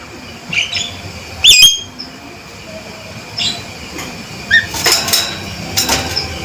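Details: Male Javan myna giving loud, strident calls: several short harsh squeaks with rising, ringing overtones, spaced irregularly over a quiet background hiss.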